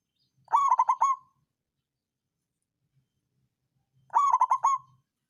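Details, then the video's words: Songgo ratu style local zebra dove singing a stimulating lure song for quiet birds. Two clean, rolling phrases of quick, bubbly coos, each lasting under a second, are spaced by about three seconds of near silence. "Perkutut lokal songgo ratu suara pancingan naikan birahi lawan ampuh buat terapi burung malas bunyi"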